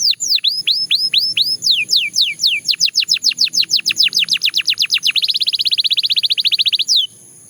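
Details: A Belgian canary sings a string of descending whistled sweeps that speed up into a dense rolling trill, then shifts to a fast buzzy chatter before stopping abruptly.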